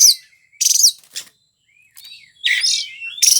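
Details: Oriental magpie-robin (kacer) in gacor song: loud rasping bursts, a soft drawn-out whistle in between, then a harsh buzzy phrase and another burst to close.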